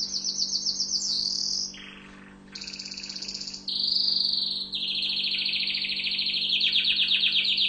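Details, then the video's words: Tunisian orange canary, known locally as mfa7el, singing a long varied sequence: pulsed high trills, a lower buzzy tour, a rattling roll, then sustained shimmering trills for several seconds, strong and continuous. "Chant canari tunisien"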